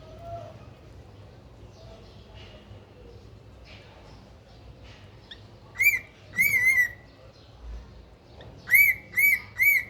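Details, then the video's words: A caged pet cockatiel, heard after several quiet seconds of faint murmuring, bursts into a run of short sharp whistled calls, some single and some in quick pairs, ending with three evenly spaced notes. "cockateel bird/পোষা পাখি"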